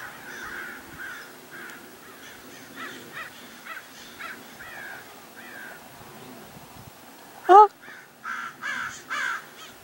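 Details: Common Raven at Paramount Ranch, Santa Monica Mountains, California, on 28 January 2021, with a red-tailed hawk circling overhead, gives hoarse, nasal croaks about every half second, then one loud, sharp rising call and more throaty notes.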